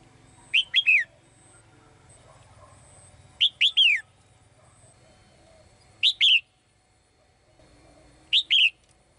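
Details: A female bird sings in her cage to call a male. Four short phrases come roughly every two and a half seconds, each two or three quick, sharp, downward-slurred chirps.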